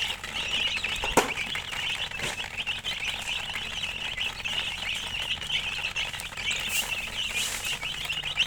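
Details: Domestic chicks (murgi) peeping steadily as a distant high chorus, with a hum beneath and a couple of sharp knocks.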